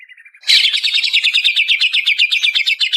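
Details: Greater green leafbird, Banyuwangi variety, on a processed training lure track: a few soft low chips, then a sudden fast rolling trill of rapid repeated buzzy notes running steadily for over two seconds.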